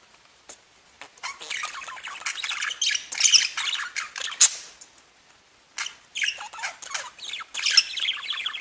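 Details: Several budgerigars singing and chirping together: a dense, scratchy warble of fast chirps, clicks and squeaky notes in bursts, with a quiet pause near five seconds before the chattering resumes.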